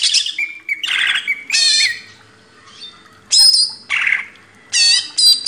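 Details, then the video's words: Greater green leafbird on a training master for cage birds: scattered phrases of harsh buzzy notes, bright whistles and squeaky slurs, each separated by short gaps. "MASTERAN CUCAK IJO // LANGSUNG GACOR"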